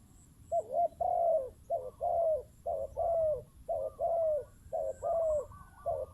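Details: Low, mellow spotted dove coos from a decoy bird, each phrase a short warbled note then a sustained falling one, repeated at an even pace with quiet background.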